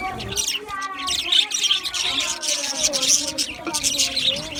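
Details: Budgerigar parakeets in an aviary keep up busy chirping: rapid scratchy notes and brief tonal warbles layered from many birds, steady in volume with small peaks of louder squawks.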